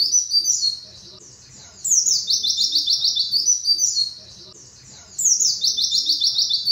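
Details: Cage white-eye song for training, with rapid high twittering trills in bursts of about a second and a half, returning roughly every three seconds. Between bursts there are softer chatter and faint murmuring sounds.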